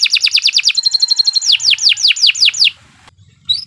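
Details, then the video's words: Canary singing a long practice song for masters: a quick series of high downslurred notes, a brief held whistle, then slower repeated sweeping notes about five per second, ending after a pause with one sharp note. "Kicau Burung Kenari II GACOR PANJANG Cocok untuk Masteran"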